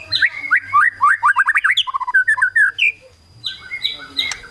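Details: White-rumped shama singing its kretekan style, meant to provoke rivals into fast, emotional singing: quick runs of sharp chirps and rising slurred notes in rapid succession, a brief pause, then harsher chattering bursts.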